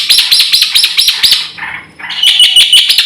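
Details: Black-winged myna singing a lively, richly varied song intended as a training lure: quick repeated sharp chirps, a short raspy phrase, then clear whistled notes.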